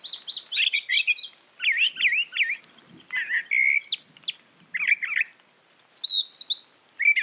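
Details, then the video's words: Brown thrasher singing a lively run of varied, rapid phrases: sharp chirps and slurred up-down notes, several phrases repeated in quick pairs, separated by brief pauses, with no other clear sounds. "Brown Thrasher Bird Sound, Bird Song, Bird Call, Bird Calling, Chirps"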